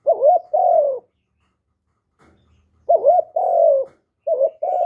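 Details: Vietnamese spotted dove, cu gáy, giving its cooing call: three two-part phrases, each a quick wavering coo and then a drawn-out descending coo, with a pause of about two seconds after the first; otherwise clean and quiet.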